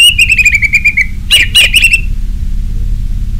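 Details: Lure song of an orange-headed thrush in the ngeplong style: a fast string of short, even, slightly descending whistled notes, then harsh burst-like notes and a brief trill, with a low constant hum.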